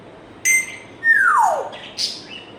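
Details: African grey parrot whistling: a short clear tone, then a long loud whistle sliding steadily downward, followed by a brief higher note and a final level whistle.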